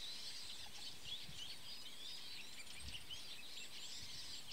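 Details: A flock of Eurasian siskins preening together in a tree gives a steady, dense twittering of thin, high chirps and wheezy notes over a low background rumble.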